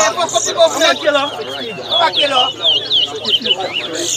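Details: Towa towa, or chestnut-bellied seed finch, singing during a bird singing competition at Lusignan, Guyana; quick high slurred whistles and warbled notes come in bursts over nearby men's talking and crowd noise.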